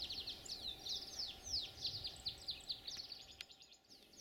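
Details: Canaries, possibly several, twitter in a fast, high, unbroken stream of chirrups and trills in pine forest at a picnic site on Tenerife, Canary Islands, over a soft outdoor hum.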